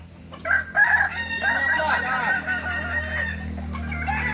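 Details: Kukuak balenggek rooster crowing at a contest in Ampang Kualo, Solok city, May 2024; a long multi-part crow with stepped, wavering notes, over a steady low hum and background crowd noise.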